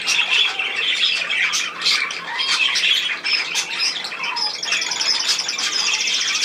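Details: Budgerigars chattering continuously, a dense mix of harsh squawks and high scratchy warbles, with short bursts of rapid clicking notes near the end.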